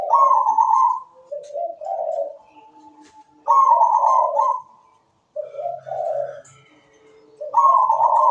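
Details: Zebra dove singing in a steady, melodious rhythm. Rolling, burry coos alternate between a lower bubbling phrase and a higher sustained trill, each phrase lasting about a second, repeated three times, with short quiet gaps and faint clicks between.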